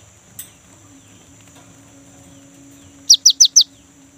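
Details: Young great tit in full song, used as a lure to get kept tits singing: after near silence, four quick high downslurred notes close the recording, with a steady faint high hum behind.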